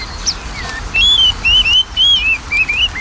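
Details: Magpie-robin lure song meant to stir a bird that is reluctant to sing, with loud sweet whistles in short arching phrases repeated about every half second over a low hiss.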